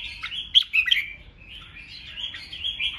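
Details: Red-whiskered bulbul in ché song meant to goad rivals: a cluster of loud sharp chirps early on, followed by a softer, smoother run of warbled whistles.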